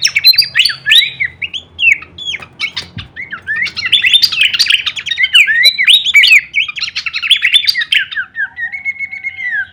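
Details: Horsfield's babbler delivering continuous full-variation kleperan song for songbird masteran training, a long unbroken stream of varied whistles, rising and falling slurs and rapid chattering notes with hardly any pause.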